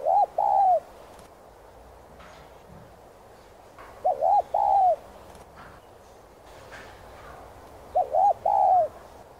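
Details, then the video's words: Spotted dove song: three mellow phrases spaced about four seconds apart, each two quick soft hoots run into a long, slightly falling coo, over a faint hiss. "Chim Cu Gáy Thúc, Gù 2 Kích Bổi Nhanh Nổi.Tiếng Cu Gáy Giọng Hạp BổI.Cu Đất Gáy, Cu cườm"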